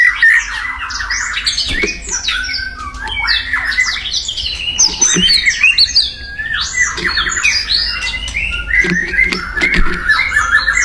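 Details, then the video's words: White-rumped shama singing in the wild, a loud varied song of whistled phrases and harsh squawky notes jumping between high and low pitches, nearly continuous with brief pauses, over faint low background rumble. "SUARA UNIT MURAI BATU GACOR DI ALAM LIAR"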